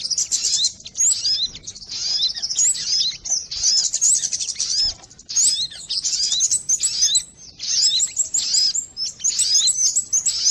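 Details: Lure recording of sogon birds: a busy chorus of thin, high twittering notes and quick upslurred squeaks, coming in bursts of one to two seconds separated by brief lulls.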